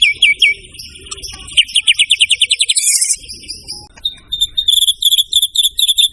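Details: Murai batu, the white-rumped shama, in full song for a training recording: quick whistled notes, a fast chattering run, a short hiss-filled gap, then repeated high ringing pips.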